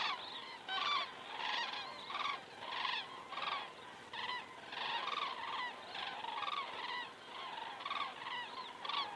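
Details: Common cranes flying over in Estonia at 19:10 on the evening of 19 September 2017, recorded by a crane camera: a flock gives loud, rolling trumpeting calls, repeated several times per second, overlapping in a steady chorus against faint background hiss.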